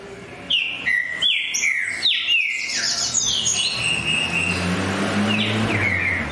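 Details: Green-winged saltator singing energetically: a series of ringing whistles, each dropping sharply then holding a steady tone, followed by longer flowing phrases over a low rumble of traffic.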